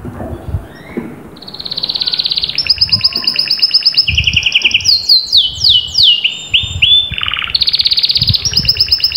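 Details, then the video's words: After a few low thumps, a canary launches into a fiery song of rapid high trills, dropping to a lower roll, then descending slurred whistles, a deep buzzy burst and renewed fast high trilling. "تمتلك كناري لم يغرد منذ فترة؟أسمعه هذا التحفيز 😚hot canary"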